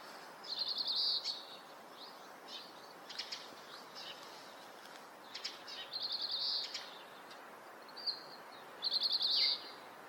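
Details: In Hokkaido, Japan, a male Oriental greenfinch sings in breeding season, recorded with a Nikon COOLPIX P950: high buzzy trilled notes about every two to four seconds, with short twittering chirps between them.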